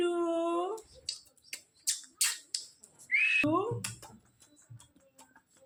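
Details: Indian ringneck parakeet kept as a trained pet, mimicking human words: a low, droning harmonic voice opens, then brief breathy bursts and a rising whistled slur, followed by gravelly syllables in a small room.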